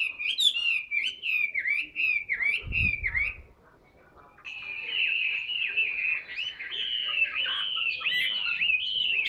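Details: A caged, tame Chinese hwamei sings fast chattering, slurred phrases, pauses briefly around a dull knock, then resumes with a long, fluid run of bright whistles and warbles.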